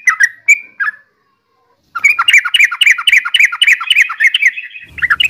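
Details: {'text': 'Yellow-vented bulbul: a few scattered, slurred notes, then a second of quiet, then a long, rapid run of bubbling, warbled notes. A low rumble enters near the end.'}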